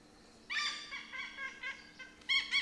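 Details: Indian pied hornbill calling in the forest of Bandhavgarh National Park, central India: a loud raucous nasal squawk broken into several pulses, then a sharp double cackle at the end, with steady faint hum behind.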